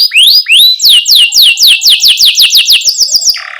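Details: Canary song used to train young canaries: rising slurred notes, then a long series of loud downslurred whistles repeated about four per second, ending in a brief buzzy note.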